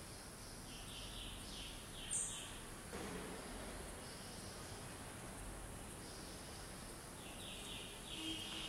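Grey-backed Camaroptera giving quick runs of short, dry, high notes, repeated in bursts, over a steady hiss of background noise.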